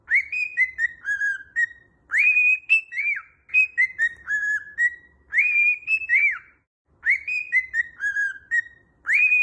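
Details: A cockatiel repeats the same bright whistled phrase about four times, every two to three seconds. Each phrase opens with a rising note, then steps down through level and falling tones. Faint low hum underneath.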